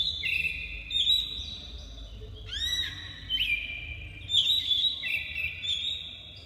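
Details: Singing black-breasted oriental magpie-robin pours out bright, sustained whistles with sharp upslurs and short trills in near-continuous phrases, over a faint low rumble.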